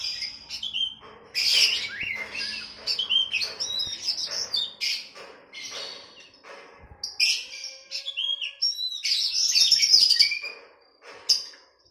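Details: Oriental magpie-robin training song for a caged bird, set against a bulbul: a long, varied run of bright whistles, harsh chattering bursts and quick trills with short pauses, ending in a high sweet warble.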